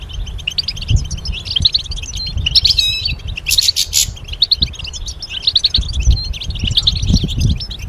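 A goldfinch sings a fast, tinkling twitter of high liquid notes and buzzy trills, nearly continuous, over low rumbling background noise.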